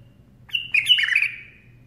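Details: A bulbul singing while perched on the hand gives one short, liquid warbled phrase, bright and slightly buzzy, that trails off after about a second over a faint low hum.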